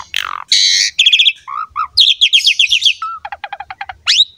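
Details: Asian pied starling delivering energetic training song for juvenile and wild-caught starlings; a harsh rasp and buzzy chatter lead into rapid rattling chirps, two low whistles, a short series of clicking notes and a rising squeal.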